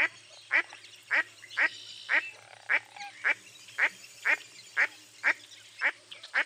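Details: Mottled duck of eastern North America calling in a steady run of about twelve loud, raspy quacks, each short and nasal, repeated roughly every half second against light background hiss.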